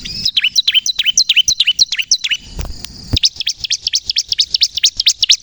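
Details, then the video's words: Bar-winged prinia of the crystal type in energetic song meant to lure birds and trigger others to sing: quick repeated high downslurred notes, several per second, a short break with a low thud, then the fast series resumes. "suara burung ciblek kristal gacor untuk pikat dan pancingan ciblek bahan agar bunyi emosi"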